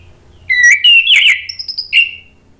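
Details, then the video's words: An Orange-headed thrush song intended to draw answering song from other thrushes: a rising whistle, a scratchy burst of mixed notes, high thin notes, and a last clear whistle. "bikin ANIS MERAH lain jadi ikut NYAUT NGEPLONG ¦ PANCINGAN AM"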